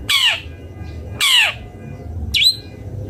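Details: Long-tailed shrike, known locally as cendet bondol, uttering two rasping, descending squawks followed by a shorter, higher rising note, with a low background hum.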